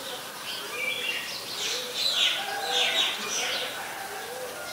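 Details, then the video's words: An Oriental magpie-robin sings in Ubon Ratchathani, Thailand, on 26 December 2020: a varied run of high, clear whistled and warbled phrases. Soft low cooing, likely from a dove, sounds behind it. "นกกางเขนบ้าน Oriental Magpie Robin (singing)"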